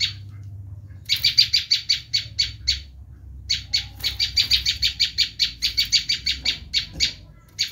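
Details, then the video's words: Bar-winged prinia giving its screaming call, a sound used to lure wild prinias: a long series of harsh, buzzy, rasping notes repeated quickly after a one-second pause, with one short break midway. A faint low hum sits underneath. "Suara asli prenjak lumut menjerit || sangat ampuh buat mikar"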